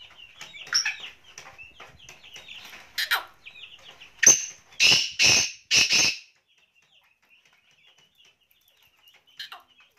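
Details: A black francolin in Pakistan gives a loud, harsh series of about five grating, rasping notes about half a second apart, preceded by thin chirps from smaller birds.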